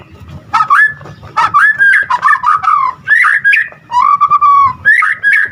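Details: White-rumped shama singing in a mid-pitched varied style, choppy warbled and whistled notes in quick bursts with a wavering sustained note, from a full-repertoire recording used to trigger singing in other shamas.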